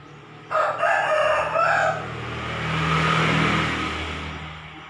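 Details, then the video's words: A rooster crows in its current condition, after about a month of therapy for a formerly drooping comb, recorded uncut. One rough, drawn-out crow of about 1.5 seconds is followed by a broad rumbling background noise. "Vidio ini ful tanpa dipotong sambung biar tau kondisi kokok koker nya."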